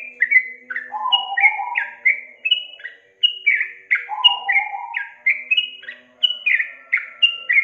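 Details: Sooty-headed bulbul lure song for getting a reluctant young bird singing. Lively chains of bubbly, downslurred whistled notes flow almost continuously, joined twice by a lower rough chattering phrase, with faint low background murmur.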